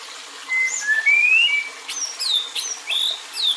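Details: White-rumped shama in an agitated kretekan session meant to provoke other males: clear whistled notes, some rising and some sliding, followed by sharp high downward sweeps delivered in quick succession.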